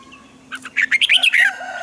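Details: Red-whiskered bulbul morning song for training other birds: one quick phrase of rolling, rising and falling whistled notes lasting under a second, with a faint hum behind.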